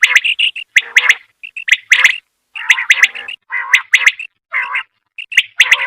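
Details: A female common quail calls, recorded in 2023 while hunting quail. Clusters of clipped, chirpy notes alternate with short throaty gurgles, separated by brief pauses.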